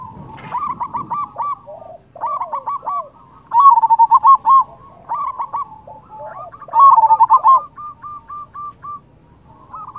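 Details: Local zebra dove with a big, loud voice, used as a lure to provoke rival doves into answering: rapid staccato bursts of cooing notes, then a steadier trilled run, ending in evenly spaced soft notes and a rising note.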